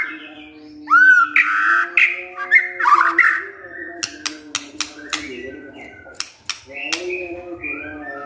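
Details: White-rumped shama answering a lure recording with loud song: a sweeping rising whistle, then jumbled warbling notes, followed by a run of sharp, evenly spaced clicks over a steady low hum.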